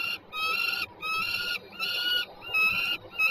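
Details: Peregrine falcons at Warsaw's Żerań, Poland, recorded 26 September 2022, a pair present: strident, rasping calls repeated roughly every 0.7 seconds, each note long and even-pitched, over soft low background noise.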